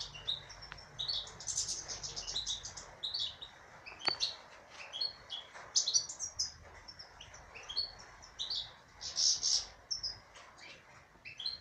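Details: Caged female European goldfinch in song, a run of rapid tinkling chirps and high twitters with buzzy ornaments, phrases nearly continuous across the stretch, soft background hiss and an occasional click.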